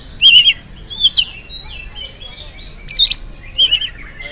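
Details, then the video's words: Morning lure song of an oriental magpie-robin, meant to stir other birds to answer. Loud, rich whistled phrases come in separate bursts, some warbled and some sharply rising, with short quiet gaps between them. "PANCINGAN AWAL SUARA KACER GACOR DI PAGI HARI KACER APA SAJA LANGSUNG NYAUT IKUT BUNYI"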